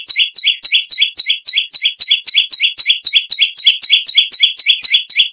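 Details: Energetic song of a bar-winged prinia, locally perenjak lumut: an unbroken, evenly paced run of loud two-note chirps, a high piercing note snapping down to a lower one, repeated roughly four times each second.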